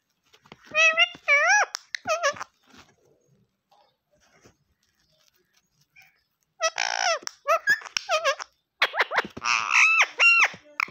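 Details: Green ring-necked parrot speaking Urdu/Hindi words such as "mian mithoo": clusters of quick, squeaky, speech-like syllables with wavering pitch, a quiet pause of several seconds, then another longer burst of chattering phrases.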